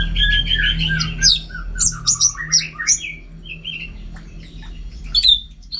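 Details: Caged Orange-headed thrush singing vigorously at home: quick, varied chattering phrases mixing high sharp notes with lower sliding whistles, delivered in rapid bursts over faint low hum.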